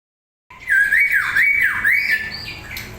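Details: Long-tailed white-rumped shama from Medan singing energetically, recorded to lure other birds into answering: after silence, loud rich whistles swoop up and down in a wavering series, ending with higher sharp notes.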